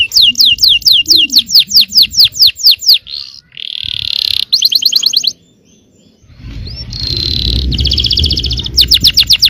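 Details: Yellow canary singing to incite nearby canaries: quick falling whistles repeated about twice per second, then a rasping buzzy phrase, a short rapid trill, a quiet gap, a loud harsh buzz and a final fast trill.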